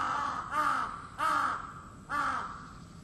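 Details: A crow that starts calling each day at four in the morning gives three loud, rasping caws spaced well under a second apart, with hissing background noise between them.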